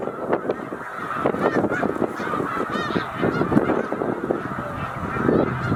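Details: A huge flock of migrating snow geese, up to 100,000, stopping at Middle Creek Wildlife Management Area, Pennsylvania, on spring migration north, makes a dense, continuous din of overlapping nasal honks and yelps, with no gaps between calls.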